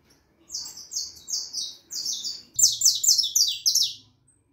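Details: Saffron finch youngster of the harlequin type, four and a half months old, singing steadily: a rapid series of high, buzzy downslurred notes in two bursts, about four per second, the second burst louder.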